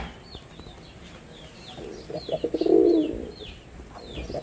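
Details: Male red-bordered wild pigeon, Bangladesh: one drawn-out low coo after soft pulsing notes, while repeated high chirps of small birds sound throughout.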